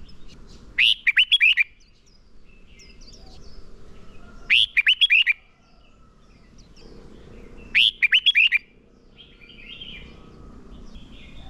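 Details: Decoy red-whiskered bulbul in contest training, repeating its fighting song; three short, bright phrases of rapid looping whistles roughly every three and a half seconds, with soft rustling in between.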